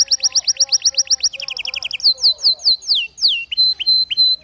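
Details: Tutor song of a canary for canaries that sing poorly or not at all: rapid repeated high notes, a lower chattering run, then slow, loud, falling whistles and short level piping notes.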